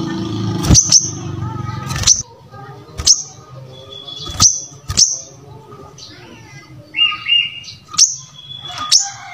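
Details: Brown-throated sunbird singing vigorously, a recording meant as a model for training other birds: sharp, very high, clipped chips at irregular intervals, a few short whistled tones and a faint steady low hum beneath.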